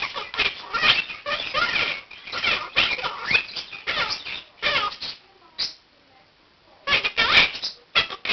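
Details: Quaker parakeet, one year old, starting his regular 7 am wake-up routine indoors by practising learned phrases, joined by other birds in the room; steady raspy chattering squawks, then a quiet pause of about a second before the calling resumes.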